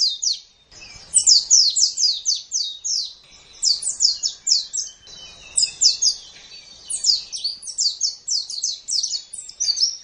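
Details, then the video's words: Rapid, high twittering of a white-eye used to train caged birds to sing: fast runs of downslurred chirps in bursts of a second or two, separated by brief gaps. "Masteran Terbaik Pleci Mata Putih"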